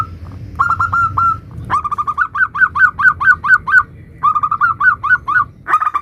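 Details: Lure recording of a local zebra dove's varied 'nutut' song: brisk, bubbling series of rising-falling cooing notes in three or four runs, with a muffled rumble in the background.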